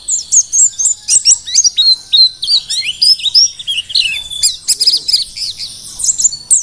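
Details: Vigorously singing wild-caught Mountain white-eye from Merapi, Dakun type: loud, bright, high chirps delivered in a quick, steady rhythm, mixed with twisting slurred notes and short trills, against a clean background.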